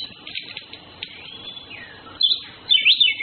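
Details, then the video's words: Orange-headed thrush males and females courting: a quiet start with a few clicks and one long smooth whistled slur, then two loud chattering bursts of rapid squeaky notes toward the end. "Birds Anis Kembang flirting Males Females birds"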